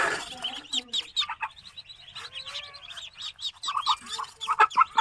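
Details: Farm-kept Muscovy duck chicks in Kamrup, Assam, India, a chorus of many overlapping high thin peeps and wavering chirps, steady and busy throughout, growing louder toward the end.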